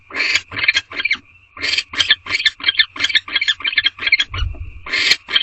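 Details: Barn owls in a nest box at night, 9:11 pm, the male joining the female to mate without bringing food; rapid harsh chittering bursts of broadband notes, about three per second, between brief thin hissing tones.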